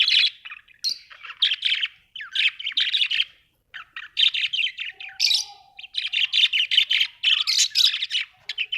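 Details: Australian budgie parrots chirping: dense bursts of rapid, scratchy warbled chatter and squeaky tweets, nearly continuous with brief pauses, one short low hum near the middle.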